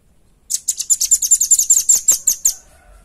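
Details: Velvet-fronted nuthatch, recorded clean for luring and tutoring other birds, giving a rapid run of about twelve piercing, high chipping notes that starts abruptly after a quiet moment and ends with a short fade.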